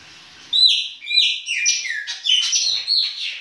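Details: Winter song of a Chopi blackbird in the baianinho style: a continuous run of loud, clear whistles that slide and step between pitches, with quick chirpy notes between them.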